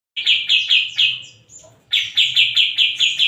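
A Grey-cheeked Bulbul sings a fast run of bright, slurred chirps, about three per second. It pauses briefly, then starts a second similar burst. No other sounds stand out.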